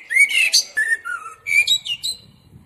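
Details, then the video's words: A common blackbird sings mellow, fluted whistles that slide downward over a couple of seconds, ending in a brief squeaky, high twitter. "أجمل تغريد طائر الشحرور"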